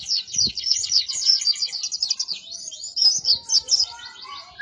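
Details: Oriental white-eye of the dakun type, kept as a cage bird and used as a master song for training, pours out a fast, high, continuous twittering warble of thin chirps and trills with no pauses.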